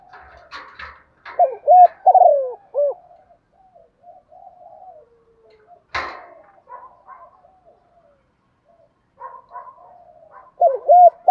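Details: A spotted dove decoy calls in the morning to lure wild doves. Low cooing phrases come near the start and the end, with soft other bird notes, faint clicks and a sharp knock between them.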